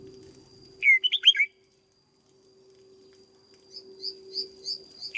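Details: Red-whiskered bulbul in a cage being trained, a rapid phrase of loud warbled whistles, then a series of thin high chirps repeated about every third of a second.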